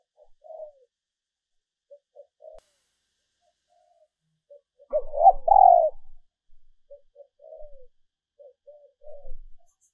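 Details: Female dove calling to stir up males, a recording meant as a lure: sparse short low coos in scattered pairs, broken by one louder, rough rolling coo midway, with silence between.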